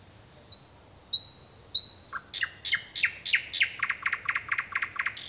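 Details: A nightingale sings at night, a phrase of repeated whistled notes breaking into a loud, rapid, clicking rattle.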